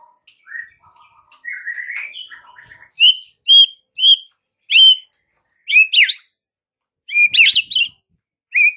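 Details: Murai batu, the white-rumped shama, singing masteran material: soft opening twitters, then a series of clear, separate whistled notes about every half second, ending in sharper up-swept and down-slurred whistles.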